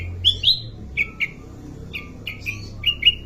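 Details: Sooty-headed bulbul in captivity calls in short bright chirps, some paired and slightly rising, spaced irregularly over a low background rumble.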